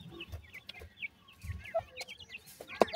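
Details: Grey francolin chicks at feeding time, a few birds giving clear, slurred high peeps and chirps, with soft low thumps and one sharp click.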